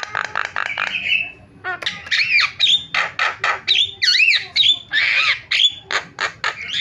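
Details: Starling calls used as a lure to set other starlings calling: a quick run of rasping notes, then a dense stream of squawks and wavering whistled slurs, loud and nearly continuous.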